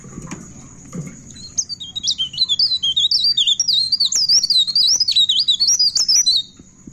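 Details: Pied bushchat singing at midnight, a continuous lively warble of high, sweet whistled notes that slur up and down in quick succession for about five seconds. A faint steady high hiss runs underneath.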